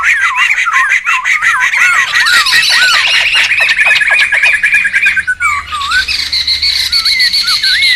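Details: Laughingthrushes calling raucously in the wild, a lure and tutoring recording: steady overlapping chatter and repeated curving whistled notes, a brief dip, then more spaced looping whistles.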